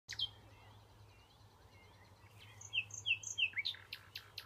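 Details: A common nightingale sings in June at the Knepp rewilding project in Sussex, a varied phrase: a sharp opening note, soft slurred whistles, then rapid high chirps and a run of clipped, repeated notes.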